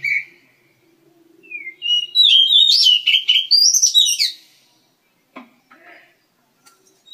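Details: Oriental magpie-robin, one of a breeding pair kept in an aviary: a burst of varied whistled and chirping notes, some sliding and some rising sharply, followed by a few soft scattered clicks and chirps.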